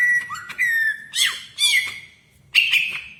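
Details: Greater green leafbird (cucak ijo) in full, tight song with a magpie-robin-like style, used as a training master: clear whistled notes near one pitch, a squeaky rising slur, then harsh chattering bursts separated by short pauses.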